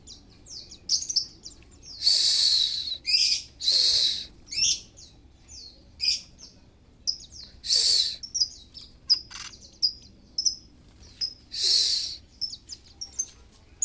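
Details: A puffed-up Oriental magpie-robin in full breeding condition gives high, scratchy whistles and short chirps, interrupted by several long hissing, rasping bursts, with a steady low background hum.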